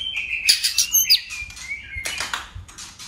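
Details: White-rumped shama in contest singing: a brief burst of whistles and rising slurred notes, followed by harsh rasping chatter.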